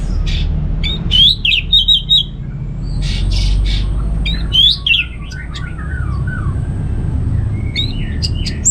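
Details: Anis merah, or orange-headed thrush, giving ngeplong song. Bright whistled slurs and sharp high chips come in bursts separated by short pauses, over a constant low hum.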